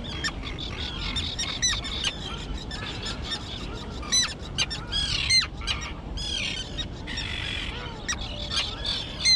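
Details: Young terns that have learned to fly, on an island colony overgrown with thick grass: many sharp, high squawking calls and rasping screeches overlap, rising and falling in loud bursts over soft background wind.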